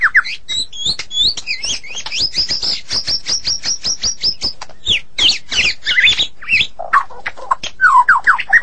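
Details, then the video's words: Medan-type white-rumped shama singing strongly: a fast series of high, sharp chirped notes repeated several times a second, then lower whistled slurs near the end. "Murai Batu Medan Super Gacor Durasi Panjang"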